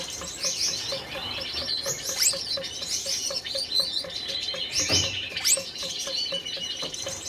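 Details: Red-headed Gouldian finch pair in a breeding cage, courting: continuous high buzzy, wheezy warbling with rapid thin squeaks, steady throughout, over a faint regular ticking.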